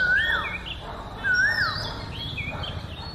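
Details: Oriental magpie-robin in one of seven natural sweet melodies: a loud, clear whistle that rises then drops steeply, given twice about a second apart, with softer high warbles between.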